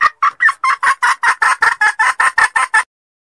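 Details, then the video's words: Female red junglefowl from Sumatra, a call used as a lure: a rapid, even series of about thirteen short, harsh clucking notes at roughly six per second, ending abruptly in silence. "SUARA PEMIKAT TERBAIK AYAM HUTAN BETINA SUMATERA"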